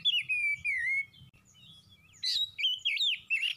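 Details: Oriental magpie-robin in quick song, a long descending whistle opening, a soft lull with low hum, then harsh chattering notes and rapid looping whistles repeated in short bursts.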